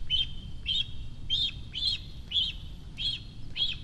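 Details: Cinereous vulture fledgling, one month after its first flight, in the nest at Rascafría, Sierra de Guadarrama National Park, begging for food on spotting a parent overhead: high, chirping calls repeated in short bursts, about two per second, over a low rumble.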